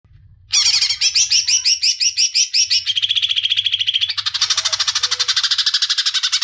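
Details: Leafbird, locally called cicak ijo, singing long and loud: rapid chattering phrases of repeated notes, then a dense buzzy rattling trill held for several seconds.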